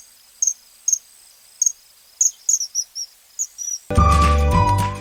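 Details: Common kingfisher (Alcedo atthis) in Sri Lanka giving shrill, very high piercing whistles, single and in quick doubled bursts, about two per second; music starts near the end.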